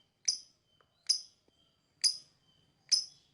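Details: Lovebird chirping, four crisp harsh chirps just under a second apart with soft ticking sounds in between, used as a bird whistle training sound.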